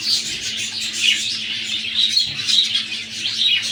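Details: A caged breeding pair of budgies, close to egg-laying time, chatter nonstop indoors in a busy, scratchy warble with quick chirps and squawks layered over a faint low hum.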